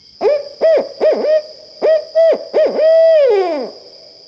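A Barred Owl gives a rhythmic series of about eight deep hoots, ending in a long drawn-out hoot that slides downward. A steady high whine runs underneath.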